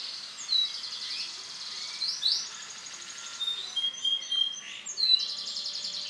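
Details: Male silver-coloured canary singing a varied song of high clear whistled notes, short sweeping slurs and brief trilled bursts with small pauses between phrases, in a quiet setting.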